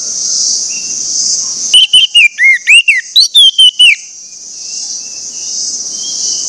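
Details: Orange-headed thrush song used as a lure to prompt other orange-headed thrushes to sing: a two-second burst of loud, clear whistled syllables, some slurred downward, rapidly repeated, over a steady high insect-like hiss.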